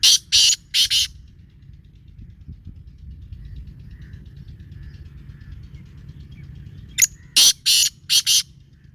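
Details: Black francolin calling: two groups of harsh, loud, grating notes, about four quick rasping bursts at the start and another run of five near the end, with quiet low rumble between.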